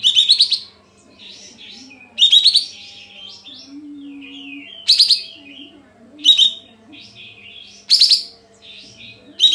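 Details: Sooty-headed bulbul in full song, used as a lure to provoke silent birds into singing: loud bursts of bright, bubbling phrases repeated about every two seconds, with softer warbled notes between and a faint low hum throughout.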